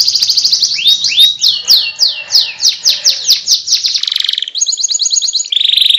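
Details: Canary in long rolling training song: fast trill opening, a run of swooping downward notes about every third of a second, then shifting buzzy trills at different pitches.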